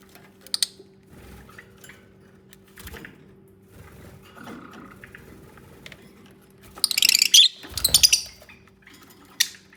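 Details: Lovebirds bonding and nesting, natural unedited sound: mostly quiet rustling and light taps, then a cluster of loud, raspy, high squawks near the end alongside a dull thump, over a steady faint hum.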